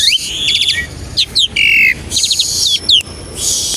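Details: Asian pied starling singing, a lure recording meant to get other starlings singing fast: quick rising whistled slurs, a sustained flat whistle, and rapid stacked chip notes alternating with raspy bursts.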